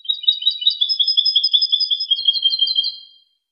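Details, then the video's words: European goldfinch song, a clean recording made for tutoring other goldfinches: a continuous tinkling, twittering stream of high, quick notes lasting about three seconds, then fading out. "أجمل تغريد لتلقين#الحسون"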